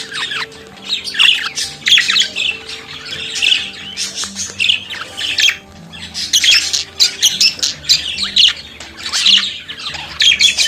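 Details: Budgerigar singing and chattering almost nonstop: a rapid, scratchy stream of squawks, buzzes and warbled chirps rising and falling in short pulses, over faint steady low tones.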